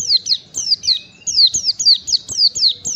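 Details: Oriental white-eye song played to teach caged birds: brisk, high, falling whistled notes repeated almost twice per second without pause.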